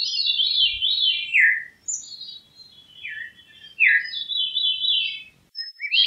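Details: Veery singing flutey, ringing phrases that spiral downward from high to lower pitch, several descending rolls in quick succession with brief pauses, clean background.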